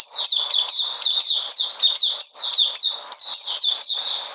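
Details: Energetic white-eye, 13 February 2020, singing a dense chain of thin, high chirps that slide downward, repeated several times a second without a break.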